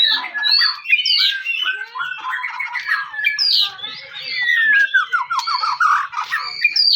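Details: White-rumped shama in a dense, unbroken lure song of tumbling whistles, buzzy notes and quick trills, used to provoke other shamas into singing in the 'cess plengg' style.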